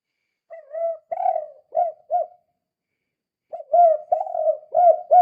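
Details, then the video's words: Spotted dove in kuk-kuk style, calling to stir other doves into calling: two rich, mellow phrases of four to five coos each, separated by a pause of about a second, with a clear quiet background. "Suara Burung Tekukur Gacor Kuk 2 Sangat Ampuh Untuk Pancingan"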